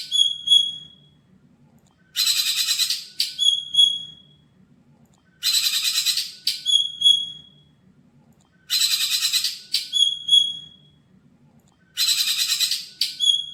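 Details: Caged, untrained greater green leafbird bought at a bird kiosk repeating one phrase about every three seconds: a rasping high chatter burst followed by clear, piercing whistled notes, very regular, over a faint low hum.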